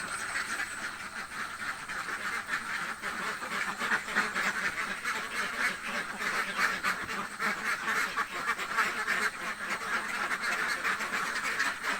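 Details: Many hungry ducks in a village quack together in a rough, unbroken din, rapid harsh calls piling up for the full stretch.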